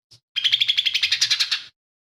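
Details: Lesser green leafbird, whose song is said to mimic fighting sparrow, tengkek buto and cililin, gives a quick chip followed by a fast, whistled chattering trill of about fifteen pulses lasting over a second.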